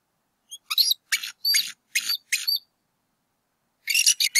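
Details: Nesting pair of bald eagles on a college campus in northwest Georgia, 8 April 2018, calling as the male chases an intruder from the nest: high, harsh chittering notes in a quick run of six bursts, a pause, then a fresh rapid burst.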